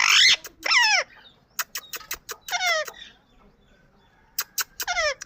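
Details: Indian ringneck parakeet calling: loud harsh squawks at the start, scattered clicks and a screeching burst in the middle, a quiet stretch, then a final cluster of squawks.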